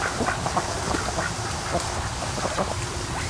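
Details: Ducks resting in the afternoon sun at the mouth of a creek by a lake, around half past two; short soft quacks and nasal chatter scattered through a constant background hiss.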